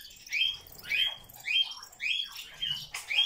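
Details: Grey parrot, a talkative pet that chatters all day, giving a series of clear rising whistles, each ending in a short level note, repeated about every half second, six in a row.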